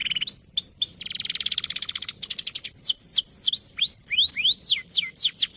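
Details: Male canary tutor song from a champion bird, fighter ngeroll style: opens with arching whistles, rolls into a long rapid rattle trill, then resumes a series of rising and falling slurred whistles.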